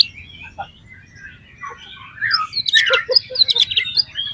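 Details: Oriental magpie-robin song used as a lure to make other magpie-robins respond and sing. Soft varied warbling builds into loud, dense bursts of chirps and whistles in the second half over a low background rumble.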